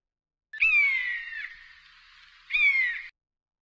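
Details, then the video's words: Common buzzards in the sky over Brackagh Moss at Easter, recorded on a Panasonic X920 camcorder. Two drawn-out, plaintive mewing calls slide downward in pitch. The first is about a second long; the second, shorter, follows two seconds later against a quiet background. "Easter Buzzards in Sky"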